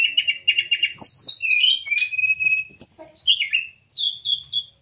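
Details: Brown-chested jungle flycatcher song, used as a master recording for caged birds to copy and to prompt reluctant singers; loud, clear whistled phrases with quick trills, sliding notes and falling slurs, high-pitched and varied.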